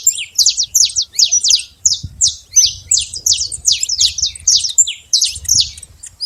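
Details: Wild saffron finch in nature singing a sustained series of sharp, high chirps in small groups, with brief pauses between groups and a faint low rumble behind.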